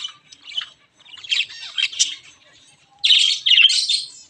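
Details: Java sparrows, white and grey aviary birds, uttering clusters of high, slightly harsh chirping notes, quieter at first then a louder dense burst near the end.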